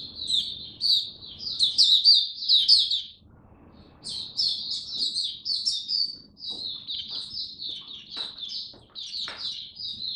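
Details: Caged oriental white-eye singing in cold rainy weather: rapid, high, tinkling twittering phrases, a one-second pause, then a longer run of quick notes, with a few faint clicks in the background.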